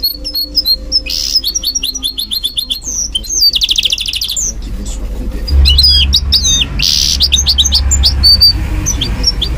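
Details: A caged goldfinch mule singing at night gives bursts of bright twittering, liquid trills and tinkling high notes.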